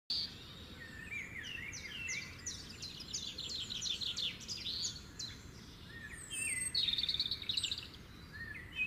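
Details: Sparrow chirping in the morning while eating grains from a bowl: a busy run of short, sharp chirps and slurred notes, rising and falling, with a louder, denser burst of chirping near the end over a soft background hiss.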